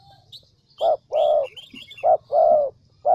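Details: Spotted dove used as a decoy bird in the Central Highlands of Vietnam, cooing in a mellow, hollow pattern of short and longer notes; faint high chirps from small birds in the background.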